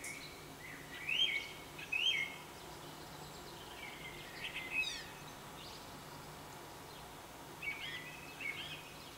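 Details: A song thrush in morning song sings short, bright whistled phrases, some given twice in a row, with pauses between them over a steady background hiss.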